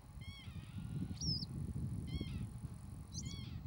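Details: Three mewing, harmonic lapwing calls alternate with high squealed slurs in quick succession, over a constant low roar of wind. Species is Northern lapwing.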